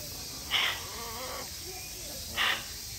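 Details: Great green macaw at Chiba Zoological Park, Japan, on 4 September 2022, giving two loud, harsh, raucous squawks about two seconds apart over a steady background hiss.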